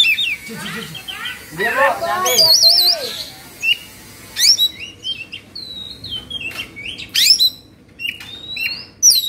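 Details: Oriental magpie-robin, agitated and fluffing with spread tail, in Indonesia: a rich, fast song mixing downward slurred whistles, a wavering high trill and clear piping notes, delivered in tumbling phrases with short gaps.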